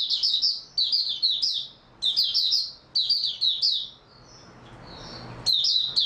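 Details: Oriental white-eye (mata puteh) song from 3 March 2022: shrill chattering phrases of rapid chirps repeated about every second, then a pause with faint notes before singing resumes. Low background hum.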